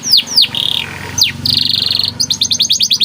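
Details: White canary singing: two loud descending swoops, a short buzzy trill, another sweeping note, a rapid rattling trill, then quick repeated chirps to the end.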